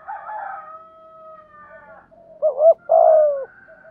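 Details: Spotted dove lure call meant to make wild doves answer: a faint drawn-out whistle-like tone first, then one loud coo phrase of two short notes and a long falling note.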